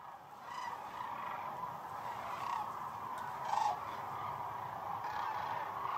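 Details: Several hundred thousand sandhill cranes on the Platte River, peak of northern migration: a dense, steady chorus of overlapping rattling calls, with louder nearby calls now and then and one sharp click.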